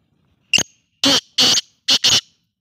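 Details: Black francolin (kala teetar) giving a harsh, grating call of five rasping notes: a short clipped opener, then four longer buzzy bursts in two quick pairs, against near silence.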